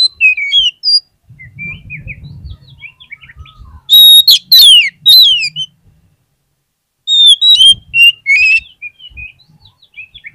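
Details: Oriental magpie-robin lure song meant to coax quiet magpie-robins into singing: a long, varied string of whistles and quick trills, with loud bursts in the middle and again later, separated by a short silent gap.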